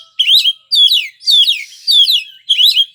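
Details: White-rumped shama song in Indonesia, a bird favoured for singing contests: five loud repeated slurred whistled phrases, each about a third of a second, roughly two per second.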